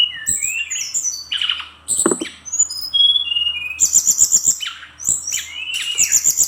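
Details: Singing brown-chested jungle flycatcher delivering fast mixed phrases: high thin whistles, a sweeping harsh note, repeated rattling trills at a very high pitch and buzzy chirps, continuous and loud throughout.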